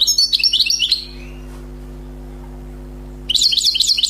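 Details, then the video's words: Wild European goldfinch, newly trapped, delivers error-free song: a second of quick, bright twittering, two seconds of quiet, then another burst of rapid jingling notes. Soft steady hum underneath. "غناء حسون بري صيد جديد"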